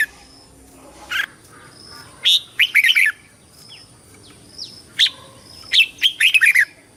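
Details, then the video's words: Red-whiskered bulbul in competition singing for calling the flock: separate bright chirps followed by rapid, tumbling whistled phrases, the pattern heard twice, with faint higher notes in the pauses. "TIẾNG CHIM CHÀO MÀO HÓT - HÓT ĐẤU - KÍCH BỔI - GỌI BẦY - LUYỆN GIỌNG"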